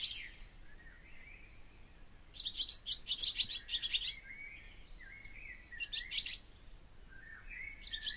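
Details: Barn swallow song: a dense burst of buzzy, clicking twitter after a quiet start, then drawn-out gliding whistles and a second short chattering burst.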